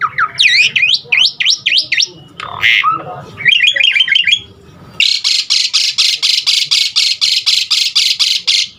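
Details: Asian pied starling filler song, aimed at prompting other starlings to sing: fast sweeping whistles and buzzy chatter, then a steady train of harsh rasping bursts about three per second.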